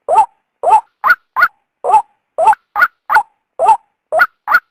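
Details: {'caption': 'Female white-breasted waterhen sounds used to entice a male from cover. Throaty low notes are followed by quick high doublets in a repeating cycle, about twelve notes over five seconds, clean and close.'}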